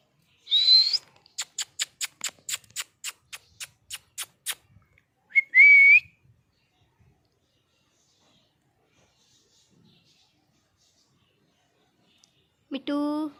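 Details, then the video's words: Angry pet parrot: a rising whistle opens a rapid train of about a dozen dry clicks. After that come a short wavering whistle and, near the end, a rich nasal harmonic call. "Cute Parrot Natural Sounds!! cute Mitthu Angry Voice"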